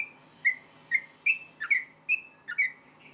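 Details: Yellow-vented bulbul fighting song aimed at triggering replies: spaced whistled notes, a couple doubled into quick two-note slurs, over about three seconds against a quiet low hum.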